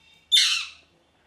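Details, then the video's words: A parrot gives one harsh, broadband squawk, sharp at onset and fading over about half a second, in an otherwise quiet setting. "Parrot Chirping Sounds | Natural Parrot Sounds | Parrot Calling Sounds"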